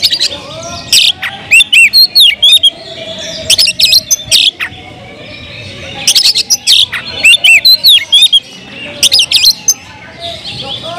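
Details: Oriental magpie-robin in full, energetic song aimed at provoking other males: bright looping whistles and sharp chips grouped in dense bursts, separated by brief quieter gaps, with a faint steady lower hum beneath.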